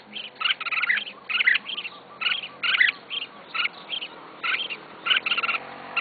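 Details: Red-whiskered bulbul, pet of a beginner keeper, repeating short warbled phrases roughly every half second to second, each of a few quick notes, over a steady murmur of background noise.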